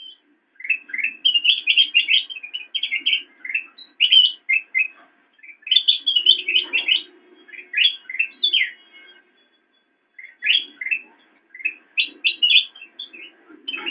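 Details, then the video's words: Extended black-crested bulbul song for training kept songbirds: long, busy runs of quick chirps and sharp rising notes in dense phrases, with a pause of about a second before another energetic burst; faint low hum throughout. "Ocehan Burung Kutilang Emas"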